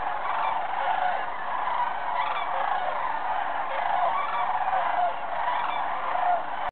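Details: A large gathering of sandhill cranes at Jasper Pulaski, recorded November 1, 2007, giving overlapping rolling, trumpeting calls in a constant chorus with swells of louder calling every second or two.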